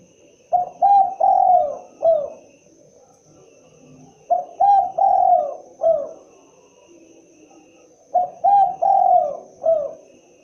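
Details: Spotted dove calling: three phrases of soft mid-pitched coos, each a short note, a clipped double coo, a long drawn-out slurred coo and a final dropping note, repeated about every four seconds against a faint steady hum.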